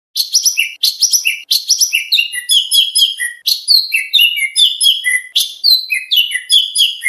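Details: Oriental magpie-robin training song for singing contests, with rich, varied material. Clear, loud phrases of sharp chirps, slurred whistles and descending notes follow one another rapidly, with no background noise.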